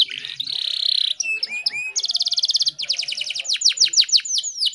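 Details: Female canary in breeding condition, luring a male: a steady buzzy high trill, then short rising whistles, a fast rattling roll, and rapid falling sweeps repeated in quick series.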